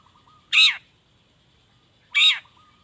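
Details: Long-tailed shrike in loud, fully sung 'gacor' style with natural fill notes, played as a lure to get reluctant shrikes singing. Two harsh, rasping bursts about one and a half seconds apart, with a faint steady tone between them.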